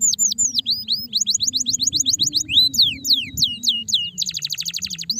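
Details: Song of stressed canaries: fast varied phrases of sharp downslurred whistles, some long sweeping notes, then a very rapid buzzy trill burst near the end, with a constant low hum in the background.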